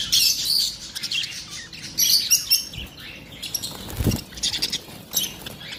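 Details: Lovebirds giving bright, high chirps in scattered bursts, with wing flutters and a few low thumps between the calls.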